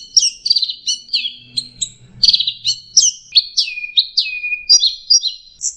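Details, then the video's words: Varied, fast orange-headed thrush song played as a lure for a stressed bird gone quiet, packed with rich warbled and chattering notes that sweep downward in quick succession, nearly continuous for several seconds. "pancingan Anis merah setres dan macet bunyi"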